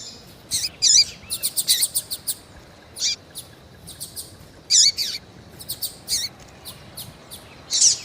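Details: Female double-collared seedeater in breeders' keeping in Brazil, calling to stimulate a male; clusters of rapid high ticks broken by louder hooked chirps that dip at the end, irregular spacing.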